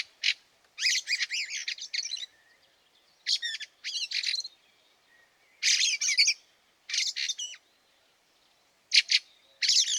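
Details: Fieldfare in snow at Liepāja, Latvia, in March 2023, giving harsh, rattling chattering calls in bursts, several notes clustered together and repeated every one to two seconds.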